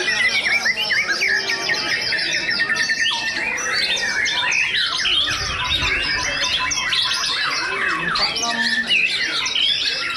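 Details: Two White-rumped shamas compete head to head in a singing contest for first and second place, delivering nonstop high chattering trills, sharp whistled upslurs and squeaky notes layered densely throughout.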